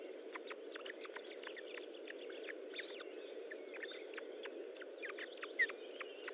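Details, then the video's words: Osprey nest during a feeding on a late June morning in 2012: irregular bursts of brief high chirps and short whistles, sometimes doubled, over a constant low rushing noise. "Osprey Nest - Feeding II. part"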